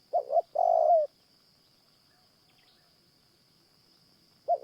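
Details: Spotted Dove at a morning trapping site where a caged decoy dove lures wild doves. It gives one full hollow phrase of two short notes and a sustained low coo, then quiet, and the start of another phrase at the end.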